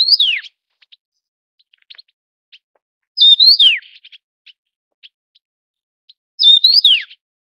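Taiwan yuhina giving a bright, high whistled phrase that twists up then slurs steeply down, repeated about every three seconds, with faint ticks between. Background quiet.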